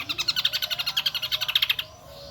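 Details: Shrill song of the kecial kombo, endemic to Lombok island: a fast, even trill of high piercing notes lasting under two seconds, then fading into a soft hiss.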